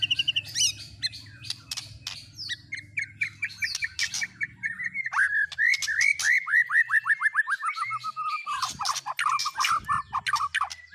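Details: White-rumped shama singing a mimicry-filled song copying speed cililin, canary and lovebird; sharp bursts open into a long run of quick descending whistled notes, repeated several per second, then harsh clicks and chirps.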